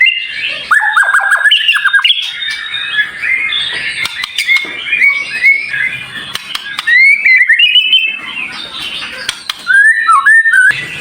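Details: White-rumped shama in a training recording of dense, sharp, high-pitched song fill: rapid jumbled phrases of chattering notes and short whistles, broken by clicks, then clearer slurred whistles near the end.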